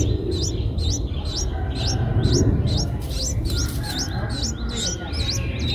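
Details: Eight-day-old Streak-eared Bulbul nestlings, eyes opened at seven days, in Ubon Ratchathani, Thailand, 10 April 2023. They give high, sharply upswept chirps, roughly two per second, in a steady series over low background rumble.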